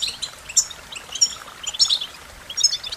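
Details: American goldfinch song: high, bright twittering notes in scattered short bursts, mostly very high pitched, with soft outdoor background noise.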